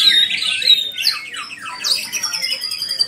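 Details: White-rumped shama giving clear whistled notes and quick downward-sweeping slurs, followed by a long thin high whistle held near the end, with rhythmic chips behind it.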